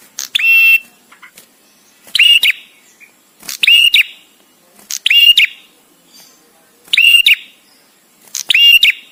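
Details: Bar-winged prinia male singing the 'prenjak tamu' song with pauses, for tutoring songbirds. Six bright, buzzy phrases repeat about every 1.5 seconds, each preceded by a brief sharp tick, with a few soft chips between phrases.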